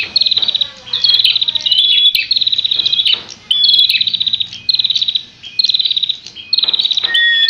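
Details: Prinia, known as prenjak, in a fight: repeated bursts of about a second of rapid high buzzing trill, each followed by a short pause, roughly one burst per second, clean background.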